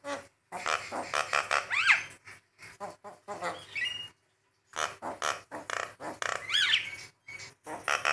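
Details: Javan myna in a masteran and pancingan tutor recording for training and prompting birds: loud, harsh, rasping bursts repeated in quick runs, broken by short gaps, with a few rising whistled notes woven between them.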